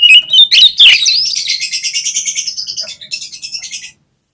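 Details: Kept oriental magpie-robin giving a lure song: strong whistled notes at the start, then a long run of fast, even, buzzy repeated notes that fades out.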